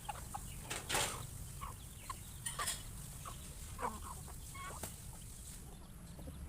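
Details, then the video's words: Many farm chickens feeding on their meal, startled by a noise; scattered short soft clucks and chirps among pecking clicks, with low rumbling background. "Many chickens are surprised when they hear a noise while eating their next meal"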